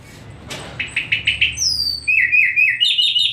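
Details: Singing nightingale: a run of rapid, rattling repeated notes, a high descending whistle, then a warbled phrase of looping, chirping notes rising in pitch toward the end.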